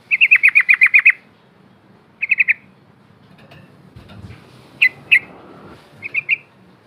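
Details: Yellow-vented bulbul, used as a lure sound to get other bulbuls singing. A fast burst of about nine sharp, high chirps in one second, then shorter bursts of two to four similar notes after pauses, with faint low background noise.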